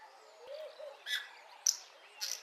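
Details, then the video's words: Lesser striped swallow singing early in the morning in a garden: three brief bursts of squeaky, buzzy high notes about half a second apart, with a soft low coo in the background. "Lesser Striped Swallow song"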